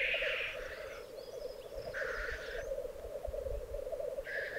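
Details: Black grouse lek in the Piedmont Alps, Italy, recorded 2022; three loud hissing sneezes at the start, middle and end over a steady low gurgling bubbling chorus.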